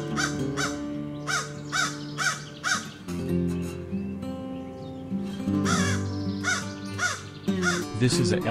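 A crow gives a fast run of harsh, hoarse caws, several each second, over steady background music, with a spoken voice heard briefly.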